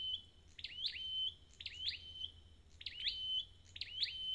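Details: A wild-caught red-headed flowerpecker gives high, twisting chirp phrases. Each starts with a quick downward-then-upward flick and ends on a thin steady whistle, repeated three or four times over a calm background.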